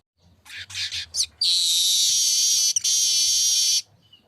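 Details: Short choppy chatter from a streaked weaver leads into a sustained, loud, grating buzz lasting about two and a half seconds, with one tiny break near the end.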